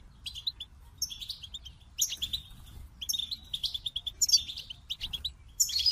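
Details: Goldfinch song in quick phrases of bright, metallic twitters and rising squeaky notes, separated by brief gaps; quiet background otherwise.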